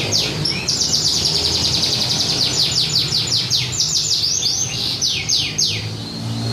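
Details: Competition canary in Indonesia pouring out loud continuous song: long rolling high trills of rapidly repeated notes, shifting between tours, over steady background hiss and low hum.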